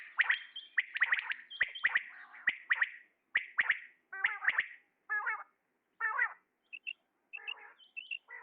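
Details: Male common quail calling: crisp, clicking triplet notes repeated steadily over the first four seconds, then a few warbling harmonic calls and scattered short chirps with pauses between them.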